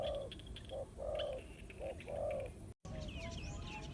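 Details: Spotted dove calling as a trapping lure, giving a series of short and longer low mellow coos. After a brief dropout, sharp higher twittering from other birds follows.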